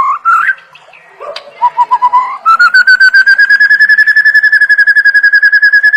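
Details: White-rumped shama song for tutoring birds: brief warbled notes, then a long, very fast, steady trill of identical whistled pulses, slightly rising in pitch.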